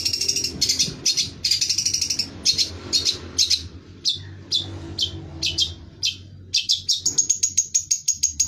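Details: Long-tailed shrike singing busily, mixing scratchy chattering phrases and sharp high notes in an irregular stream, ending in a quick run of thin rising whistles, over a low indoor hum.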